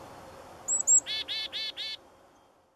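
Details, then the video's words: Black-capped chickadee call: two thin high whistled notes lead into four buzzy, harsh 'dee' notes in an even row, recorded outdoors against a faint low background hum. "Black-capped Chickadee Calls"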